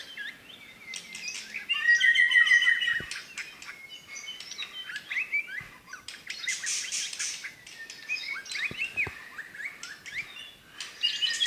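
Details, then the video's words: Singing white-rumped shama from Medan giving 'tembakan' phrases: a rapid whistled trill, then mixed high chattering, scratchy notes and sharp whistles over a steady hiss of background noise. "tembakan burung murai batu medan"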